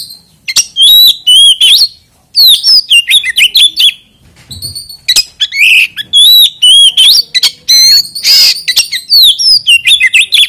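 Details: Oriental magpie-robin, used as a lure to make other magpie-robins sing, gives a long, loud medley of clear whistles, trills and harsh rasping notes in quick succession with few pauses.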